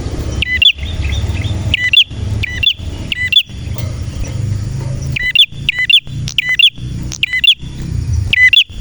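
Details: Male red prinia delivers loud, crisp chip notes, each a quick up-and-down flick, repeated at uneven intervals with a pause midway, over a rumbling low background like distant traffic and a steady high tone.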